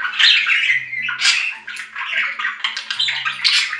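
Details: Budgerigar chattering nonstop with loud squawks and quick warbled chirps, over a faint low background hum.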